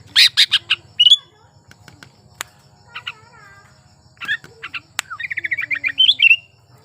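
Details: Sooty-headed bulbul in breeding condition, singing as a lure for reluctant singers. Loud harsh bursts and a rising whistle are followed by quiet clicks and slurred notes, then a fast chattering phrase, over a low hum.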